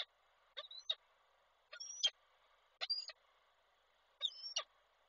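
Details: Male peregrine falcon bringing a prey gift and calling his mate, Koszalin, 16 February 2024, via online camera. Four double-edged harsh calls, each holding a brief high whining tone, spaced about one to two seconds apart.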